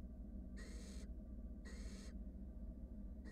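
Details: Wild barn owl nestlings in a monitored nest box, huddling together while a sibling slowly swallows a rat, give harsh hissing begging calls, two long broadband rasps about a second apart over a low steady hum.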